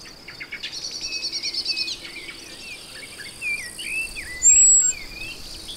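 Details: Male Common blackbird hidden in forest singing short fluty, warbled phrases with a high squeaky flourish, after a burst of rapid drumming from a male black woodpecker, over a steady background hum of insects.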